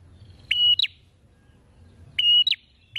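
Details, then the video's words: Open-beaked singing from a chatty prinia: a clear, level high whistle ends in two quick falling chips. The phrase is repeated after more than a second of quiet, and a third begins at the end over a soft low hum. "PRENJAK GACOR BUKA PARUH LEBAR PENUH PESONA"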